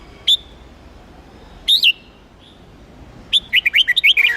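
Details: Contest-trained red-whiskered bulbul from Huế, Vietnam: a lone sharp upward whistle, a looping two-part phrase, a pause, then a quick rising-and-falling string of clear notes ending in a buzzy flourish.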